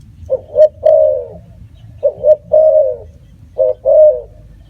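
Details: Spotted dove repeating a three-part coo, two short notes then a long mellow one, three times at even intervals of about one and a half seconds, over low hum.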